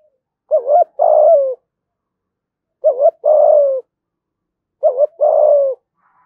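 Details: Spotted dove calling to provoke fighting and draw in wild birds: three evenly spaced low phrases about two seconds apart, each a quick wavering double note and then a longer steady coo; background silent.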